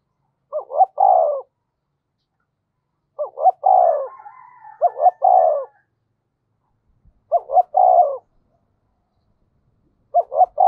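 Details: Decoy spotted dove in the 'thổ sấm' voice style, cooing in low phrases every two to three seconds, each a quick double note and falling coo, with a soft higher chatter mid-way.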